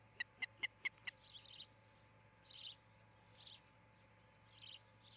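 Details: Osprey calling at its nest in Charlo, Montana, on a nest camera on the evening of 17 July 2018. Five rapid, sharp, whistled chirps come first, then scattered buzzy chirps from other small birds over low background hiss.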